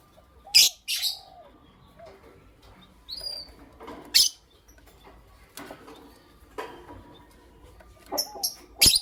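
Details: Morning chirping from creamino and lutino opaline lovebirds: piercing high squeaks spaced a few seconds apart, some in quick pairs, over faint background noise.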